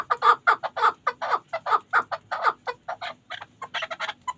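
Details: Loud, throaty clucking from a Pamir chukar partridge kept for hunting: evenly spaced chuk notes, about four a second, softening slightly toward the end, then a few higher rasping notes.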